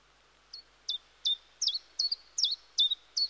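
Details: Repetitive song of a common chiffchaff in woodland: eight quick, high chipping notes, some doubled, swinging between two pitches at a regular rhythm of about two and a half per second, over a quiet background.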